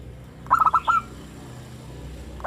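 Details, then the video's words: Zebra dove of a local strain cooing energetically in the morning, delivering one quick run of five rounded, hollow notes. A new phrase begins at the very end over a steady low hum. "perkutut lokal gacor suara Rame manggung bunyi di pagi hari"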